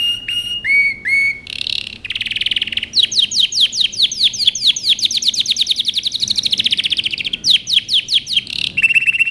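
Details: Singing canary from a training recording for young birds: flat clipped tones and a buzzy burst give way to a long run of quick downward sweeps merging into a rolling trill, ending with more buzzy notes.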